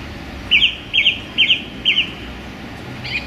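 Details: A male song thrush singing strongly among branches in a small London park on a sunny January day repeats one short, bright phrase four times about every half second, then moves to a new phrase, over a low rumble.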